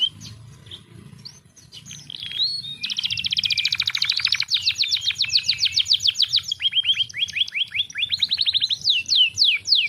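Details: A canary sings, meant to prompt sluggish caged canaries into full song: after quiet scattered notes, a dense buzzy rapid trill rises in, followed by looser chains of repeated chirps.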